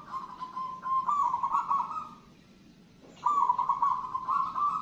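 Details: Zebra dove, a local wild-type perkutut singing: a long rolling, trilled coo held at one pitch, a gap of about a second, then a second matching phrase.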